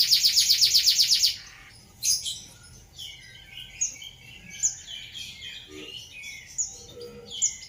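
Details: Canary in 'ngeroll' rolling song, meant as a tutor song for other birds, opens with a rapid loud trill of about a dozen sharp notes, then falls to scattered soft high chips and short warbles.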